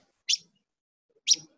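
Paddy-field Pipit song: two sharp, high chirped notes about a second apart, clean and bright, with nothing else heard.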